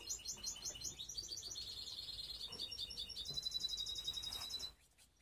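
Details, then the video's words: Canary of the mixed type, a baster from Skopje, delivers continuous high rapid trills, changing from pulsed rolls to a dense buzzy run and then a metallic rattling phrase before stopping abruptly. "Canary mixed best song"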